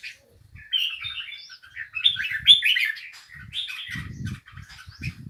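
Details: Continuous bubbling warble from a bulbul, varied chirps and slurred notes running together, accompanied by intermittent low thumping or knocking noises.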